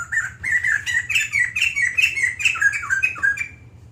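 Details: Caged white-crested laughingthrush singing at length: a fast, lively run of rich warbling and chattering notes, tumbling up and down about three per second, over a steady low hum.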